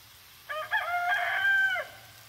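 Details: Rooster crowing: one harmonic-rich crow about one and a half seconds long, a brief rising opening followed by a sustained, slightly falling drawn-out note that cuts off sharply, over a faint low hum.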